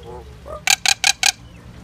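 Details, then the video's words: Common myna, also called Indian myna, singing: four harsh, buzzy broadband notes in quick even succession, with a faint low murmur before them. "Common myna bird song Indian myna sound | mynah singing"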